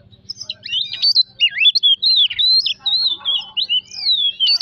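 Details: Oriental magpie-robin song used as a lure to provoke singing: a rich, varied run of whistled notes, slurred rising and falling phrases and short harsh buzzes, delivered continuously with brief gaps.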